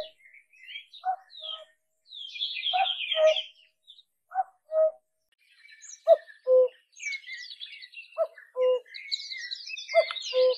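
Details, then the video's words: An Asian koel (Koyal) gives short, hollow low notes in pairs, repeated every second or two, while other small birds chirp and twitter higher above. "Asian Koel Singing | Koyal Ki Awaz"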